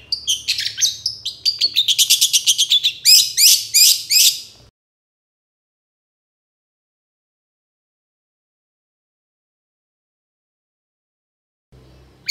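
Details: Long-tailed shrike song played to goad reluctant birds into answering and singing: a fast, chattering run of high notes speeding into a dense rhythmic trill of buzzy bursts, stopping abruptly after about four and a half seconds, then silence.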